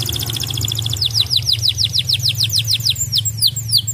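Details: Canary song used to prompt caged birds to sing: a fast buzzy trill of repeated notes, then a long series of sweeping downslurred whistles about four per second, over a low hum.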